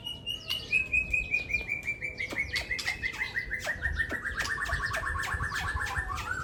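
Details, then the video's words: Contest-caged Aceh white-rumped shama from Aceh, facing a rival singer: a long rapid trill of repeated notes sliding gradually downward for several seconds, with scattered sharp chips from other birds around. "Laga Murai Aceh Hercules Versus Murai Cobra"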